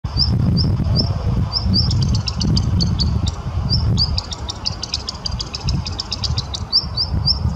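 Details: A black redstart sings in Kazan, Tatarstan, on 23 June 2017: thin, high chirps in quick runs, breaking into a scratchy, crackling passage midway, over a steady low rumble.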